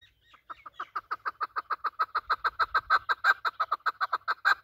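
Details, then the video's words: Chukar partridge, an Afghan desi bird kept for hunting, calling in a fast run of harsh chuck notes, about three per second, that swell louder and more crowded toward the end, with faint low rumble beneath. "chakor voice | chakor sound | desi afghani chakor voice"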